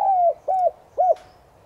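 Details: Spotted dove of subspecies tigrina, a decoy bird giving its morning call in the "giọng son" voice style, used to stir other doves into cooing; three low, smooth hooting coos, the first longest and gently falling, the last short and arched, then a faint click.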